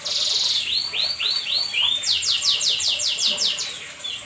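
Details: At night a canary sings energetically, opening with a buzzy trill, then a few rising looped whistles and a quick run of descending sweeps repeated about four times a second.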